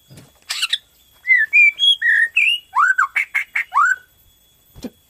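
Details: Borneo white-rumped shama singing energetically, a song meant to stimulate other shamas to sing: a run of clear whistled notes, some rising, some falling, delivered in quick succession over about three seconds, then a soft note at the end.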